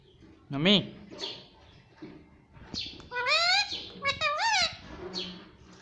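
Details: Indoor pet ringneck parrot mimicking "mummy papa": a loud harmonic syllable early, then a run of bright, sweeping, squeaky voiced sounds in the middle, plus softer chirps and low room noise.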